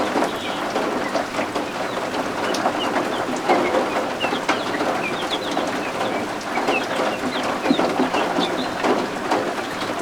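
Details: Chorus of just-hatched guinea fowl keets warming under a heat lamp inside a homestead: thin, high cheeping notes, often slurred upward, scattered through the clip over constant rain noise.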